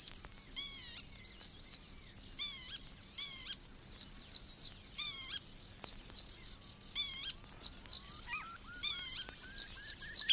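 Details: Sedge warbler recorded in the reed beds of Matsalu, Estonia (released 1979), giving a fast, chattering song of varied chirps, trills and whistled notes in rapid bursts with almost no pause, mostly high-pitched.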